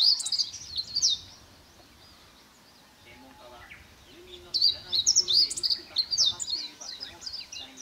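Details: Possible blue rock thrush singing opposite a hotel room on a seaside hill in Kamogawa, Chiba, Japan, on 18 July 2021. Two bursts of high, quick, warbled and twittering phrases, separated by a quiet pause, with faint low background noise.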